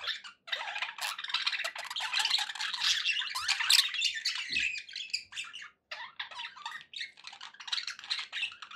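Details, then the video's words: Several pet budgies chattering: dense, high, buzzy warbling with sharp chirps and squawks, nearly continuous apart from a few short breaks. "budgie sounds for pet birds"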